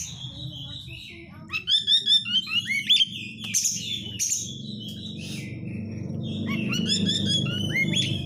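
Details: Oriental magpie-robin chatter used as a lure to make kept birds sing and become agitated; bursts of quick high chirps and whistled phrases over a steady low hum, the song pausing then resuming.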